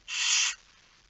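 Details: Barn owl at the nest during a night feeding, 10 September 2019 at 22:45: a single harsh, breathy hiss lasting about half a second, then quiet.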